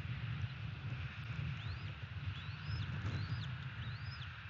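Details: A bald eagle calls from its nest in Florida, late morning on 30 December 2017. Four arched, squeaky whistles rise and drop in quick succession against a continuous deep rumble of wind and distant vehicles.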